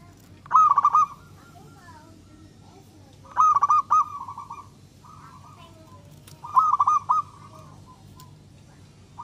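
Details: Song of a local, prolific zebra dove used to make other doves sing back: three loud, trilled cooing phrases about three seconds apart, each trailing into a softer purr, against steady low hum.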